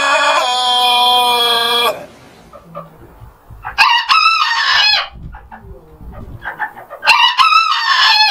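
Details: Several roosters crowing at daybreak: a long, steady harmonic crow, then two shorter bright crows a few seconds apart, with soft clucking and faint chatter between them.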